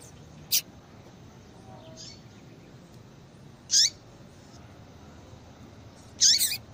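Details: ['A female Yellow-bellied Seedeater calling to bring a male into breeding condition gives crisp, high chip notes every few seconds, the last one doubled, over a faint constant hiss.']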